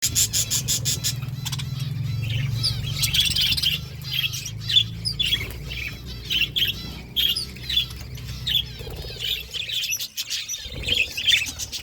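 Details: Flock of budgerigars eating food: busy, overlapping chirps and short warbled notes, with a steady low hum underneath.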